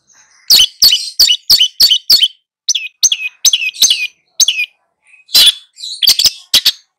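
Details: Long-tailed shrike in full song while tutoring two young birds: a quick run of sharp, high chirps, then slurred whistled notes and a harsh buzzy burst, delivered in choppy bursts with short gaps.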